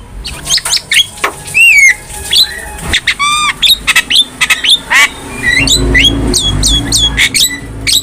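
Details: Javan myna, a cage bird, in a master recording for training other birds: loud harsh squawks mixed with ringing upslurred whistles and buzzy notes, delivered in rapid varied bursts.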